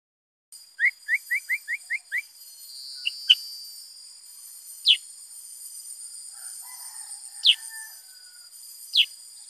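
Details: Black-headed bulbul singing energetically: a quick run of six sharp, downward-slurred notes, then single high chips spaced a second or two apart, over a steady high-pitched insect-like drone.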